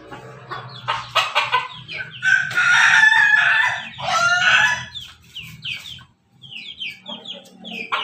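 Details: A Pelung rooster, described as a laughing crowing chicken, gives a long, loud two-phrase crow after a burst of clucking; thin small-bird chirps follow at the end.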